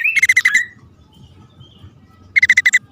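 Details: Bar-winged prinia calling, male with female, on a lure recording: two brief stuttered buzzy bursts of about six rapid pulses each, the first ending in a falling slur, separated by near silence.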